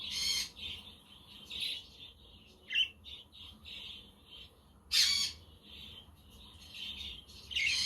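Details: Budgies chirp and twitter on a windy but sunny day as company for lonely pet budgies, with a quaker parrot and a conure in the background. A soft continuous warble is broken by two loud, sharp squawks.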